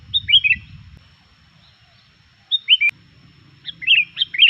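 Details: A vocal Sooty-headed bulbul gives lively song meant to provoke rival bulbuls: three separate chirpy phrases of two to four liquid, falling notes, spaced about a second and a half apart, with a low hum beneath.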